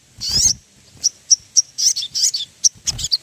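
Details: Ruby-throated bulbul song played as a lure for making birds sing: buzzy high bursts alternate with single sharp chips and short twittering phrases, with faint low thumps in the background.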